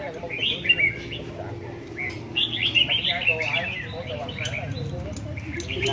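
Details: Caged red-whiskered bulbuls in a competition, singing short, clear whistled and chirped phrases in irregular bursts, with a low hum and faint voices beneath.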